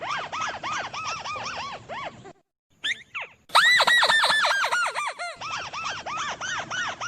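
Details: Tikusan bird call used as a trapping lure: rapid runs of arched, squeaky chirps, about three per second, with a brief pause in the middle and a louder, brighter burst afterward.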